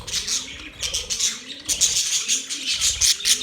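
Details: Budgerigars chirping happily, their high buzzy chirps and squeaks pulsing in quick bursts over a faint low cooing.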